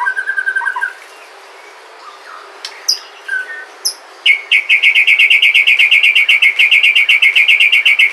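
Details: White-rumped shama from Sumatra, song used as a lure to set other shamas singing: a few scattered faint whistles and sharp notes, then a fast, even run of repeated chattering notes, about four per second, to the end.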